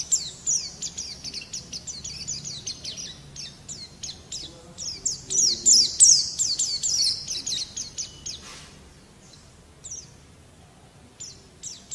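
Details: Pleci white-eye singing vigorously as a tutor recording: dense, very high twittering of quick repeated chips, about three per second, swelling louder midway before fading into a near pause and a few scattered notes.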